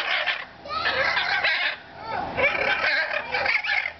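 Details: Blue parrots at Riverbanks Zoo in Columbia, South Carolina, squawk and chatter in harsh, overlapping bursts on 25 September 2010, with a faint voice in the background.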